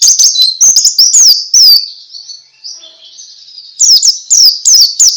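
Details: Pleci, a white-eye, in ngalas song used to get other birds singing: quick high chirps and down-slurred whistles, a quieter pause mid-clip, then a fresh burst of sharp twittering.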